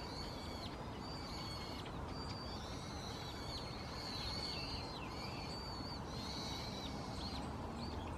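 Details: Brown-headed thrush on 2 January 2015, calling perhaps to declare territory, captured with a Canon PowerShot SX60 HS; a run of high, thin, sliding whistles repeated through the recording, with a continuous low rumble underneath.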